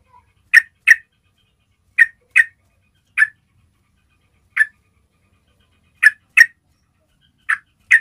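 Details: Yellow-vented bulbul call, used to lure all kinds of bulbuls, gives short, harsh chirping notes, often in quick pairs, repeated at uneven intervals over a quiet background.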